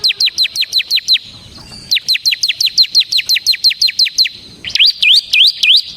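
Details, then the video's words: Song of a bar-winged prinia (ciblek semi) for training birds: long rapid strings of sharp falling chips, briefly interrupted, ending in several rising-and-falling swooping notes. "suara burung CIBLEK SEMI GACOR Ngebren Ampuh untuk Pancingan Ciblek Kristal dan Masteran Ciblek"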